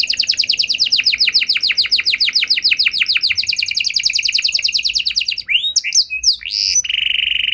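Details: Canary song for provoking replies from other canaries: a long rapid trill of falling notes, shifting near the end into varied swooping whistles and a steady high buzzing tone.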